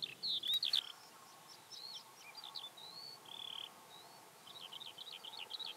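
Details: Skylark song recorded near Hundred End, Lancashire, in May 2017: high twittering phrases with sliding whistles and a few longer buzzy held notes, flowing without pause over a faint hiss of open country.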